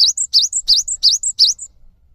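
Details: Cinereous tit, a caged bird in lively song, used as a lure to set quiet or stressed birds singing: five rapid two-part phrases, each a sharp high dipping note and then a thin higher whistle, repeated about every third of a second.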